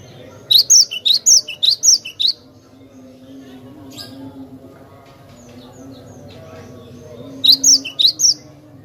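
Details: Cinereous tit, played as lure sound, giving a fast series of eight crisp high whistled notes in pairs, a long quiet stretch with faint low hum, then another short group of bright repeated notes.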